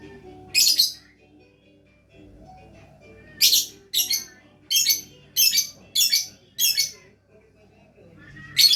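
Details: Lovebird in active gacor singing, giving loud, harsh, high chirps, one alone and then a run of six spaced roughly half a second apart, with quiet gaps and soft background hum.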